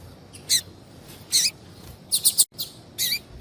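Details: Short high chirps from a calling female Double-collared Seedeater, meant to stimulate males to sing; a few downward-curving notes and a quick doubled chip, spaced roughly a second apart.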